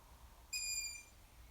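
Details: Young long-eared owl: one shrill, drawn-out squeak, level and piercing, held for roughly half a second, then silence apart from faint low rumble.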